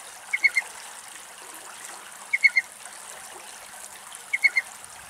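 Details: Little owl in Greek nature, recorded in the wild: short high clipped notes in groups of three, repeated about every two seconds over a steady rushing background like flowing water.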